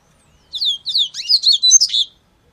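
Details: One loud, crisp Yellow-bellied Seedeater phrase: falling whistled notes repeated a few times, then a fast mix of chirps and trills ending abruptly.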